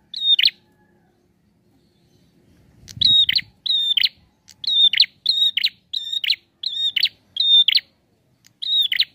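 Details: Prinia song, described as full and lively: a fast series of about ten phrases, each a clipped buzzy note joined to a short flat whistle, repeated roughly every half second after a brief pause and a soft rustle.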